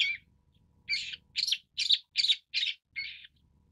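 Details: Long-tailed Shrike (Lanius schach): one harsh note, a brief gap, then six grating, chack-like calls repeated evenly about every half second.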